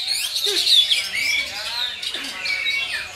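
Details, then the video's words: Black-tailed white-rumped shama singing at a bird contest in Batusangkar, behind the BPR Pariangan. Loud, varied whistled phrases sweep up and down, with bright rising and falling notes and rapid chattery trills. Other contest birds sing faintly underneath. "LOMBA BURUNG MURAI BATU EKOR HITAM"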